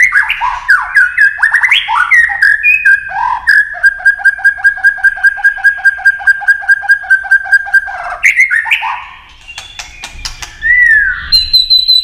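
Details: White-rumped shama in competitive song: jumbled slurred whistles, then a long even trill of rapid repeated notes for about four seconds, followed by softer calls and a rising whistle.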